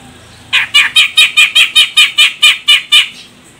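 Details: A female grey-cheeked bulbul from Medan, Sumatra, calls to provoke a male into singing. She gives a steady run of about twelve harsh, squawky notes, roughly four or five per second, with a faint low hum at the start.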